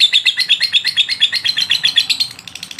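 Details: Long-duration ngotot lovebird song for masteran training, with rapid high-pitched chirps in a continuous rattling series that stays bright and insistent, then fades slightly at the end.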